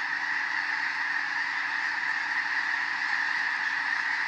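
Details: A large wintering flock of thousands of snow geese in farm fields in Skagit County, Washington, startled into flight by a passing bald eagle, calling in a continuous dense wall of nasal, yelping honks with no pauses.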